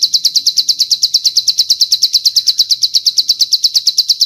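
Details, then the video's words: A bar-winged prinia (rice-field prinia) gives a long cililin-style song, a fast, steady run of high, sharp chirps about seven notes a second, held evenly with no other sounds; recording is meant for training prinias. "Masteran Ciblek Sawah Isian Cililin Panjang"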